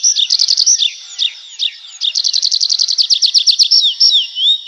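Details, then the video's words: Nightingale in a forest at night pours out fast trills and chopped, rattling phrases. A long, even run of pulses follows a brief lull, and the phrase closes on a clear slurred whistle. "How beautifully the nightingale sings"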